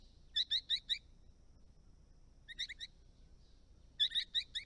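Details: Eastern Rosellas, colourful parrots resident on a rural Australian property with ponds and dams: three bursts of four to six rapid, clipped, ringing notes, separated by pauses of over a second, against a quiet background.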